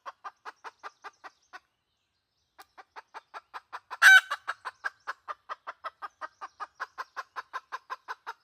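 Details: Red junglefowl hen call for luring wild junglefowl, 2020: a few clucks, a silent gap, then steady clucking around a sudden loud squawk and continuing evenly to the end.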